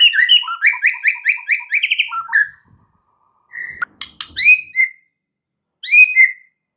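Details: Varied white-rumped shama song used as a prompt for other birds: a fast run of about nine repeated rising chirps, then a pause and several sharp whistled phrases with clicks.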